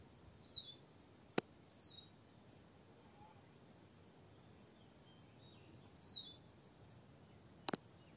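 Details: A crested bunting gives short, sharp, high hard "chik" call notes at irregular intervals, four in about eight seconds, over a thin steady insect whine and a couple of clicks.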